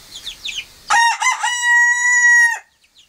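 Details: Crowing Friesian cockerel: a few faint chirps, then one strong crow with two or three choppy opening syllables and a long, level, rich-toned note lasting about a second before cutting off cleanly.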